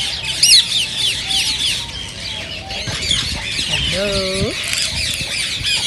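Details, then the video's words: Rose-ringed parakeet flock calling, a sound said to prompt other parakeets to sing and mate; steady shrill chattering screeches, a loud rising squeal early on, and a lower drawn-out wavering call near the fourth second. "ببغاء الدره تحفيز رهيب رهيب"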